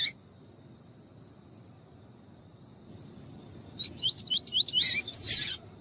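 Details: Coleiro tui-tui, the double-collared seedeater, singing alongside a calling female to warm up a male: after a long quiet stretch, a short run of quick whistled sweeping notes, then loud rasping bursts at the end.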